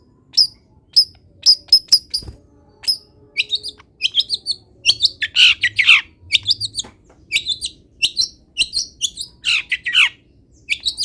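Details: Long-tailed shrike singing a rich song packed with imitations of wild birds: rapid high chips and trills, then louder slurred descending notes in bursts, with short pauses between phrases and faint low hum behind.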